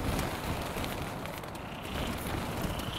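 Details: Steady rushing wind noise, like rain or a passing vehicle, fills the recording with no animal call.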